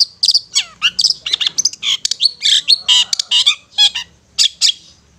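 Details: Ngetet song of a Long-tailed shrike, used to stimulate stressed or mute shrikes: dense, hurried string of harsh squawky notes, chips and slurred whistles with few pauses.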